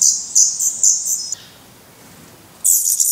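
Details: In Portugal on 17 May 2020, hungry Black Redstart chicks in the nest give three short, piercing begging bursts, fall silent for over a second, then erupt again in a loud hissy chorus.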